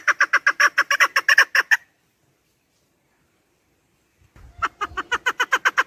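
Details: Chukar partridge calling, recorded for use in hunting: a quick train of harsh clucking chuk notes, about two seconds of silence, then the rhythmic clucking series resumes.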